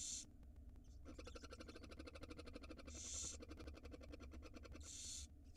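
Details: Barn owl nestlings at feeding time on a live nest camera in Israel: hissing screeches open and close a long, rapid, regular ticking chitter lasting about four seconds.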